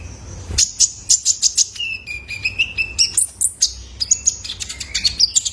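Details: Young male kolibri ninja (Ruby-cheeked Sunbird) lure sound for cage-bird training: a fast run of high ticking chirps, then a drawn-out thin whistle that wavers, followed by more bright chirps and short whistled notes.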